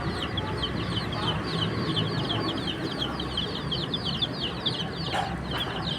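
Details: Chicken chicks outdoors, a flock peeping continuously with dense, rapid high chirps, many short downward-sliding notes overlapping throughout, over a low rumbling background and a brief sharp knock near the end.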